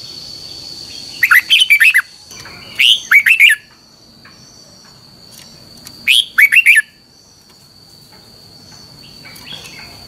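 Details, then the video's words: Repeated red-whiskered bulbul training song in the double-twisted style. Four phrases of fast, bubbling, slurred whistles arrive unevenly within about seven seconds, followed by quiet, with a steady high thin tone throughout. "luyện giọng cho chào mào hót hay - Giọng kép xoắn dài"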